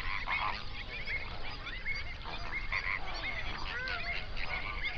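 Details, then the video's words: Flamingos gathered by the hundreds on a national-park lake, Overberg, South Africa, early morning, recorded binaurally: steady murmur of nasal, goose-like honks from many birds, with occasional clearer rising and falling notes. "Flamingo sounds"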